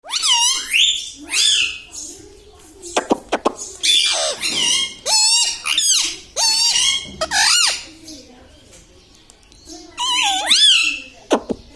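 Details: Pet parrot, said to talk words like mithu, mummy, papa and radhe, indoors: a run of raspy, harmonic-rich squawked syllables with wavering pitch, about a dozen bursts over twelve seconds, with short pauses between phrases.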